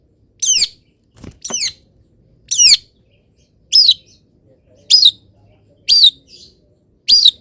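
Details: Long-tailed shrike, a caged bird, singing in morning sun after being misted: loud high-pitched notes with sharp descending then rising inflections, repeated roughly once a second with short gaps, over a quiet background.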